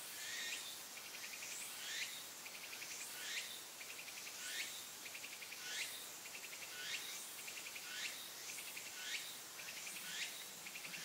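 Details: In a park in the morning, around 8 o'clock when it opens, a bird the observer thinks is an Asian brown flycatcher gives thin, sharp, high notes about once a second over a pulsing insect trill.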